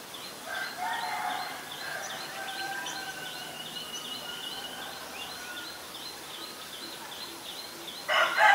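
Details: Black-collared Starling in Ubon Ratchathani, Thailand, 17 April 2022: loud, harsh, grating calls open the clip, then fade. A thin repeated chirping from other birds runs throughout, and a sudden loud burst comes at the end.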